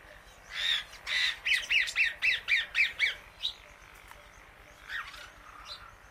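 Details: Female Indian ringneck parakeet outdoors eating grass with many birds nearby; about eight rapid harsh squawks in a steady run of roughly four per second, then a pause and a few quieter rasping calls.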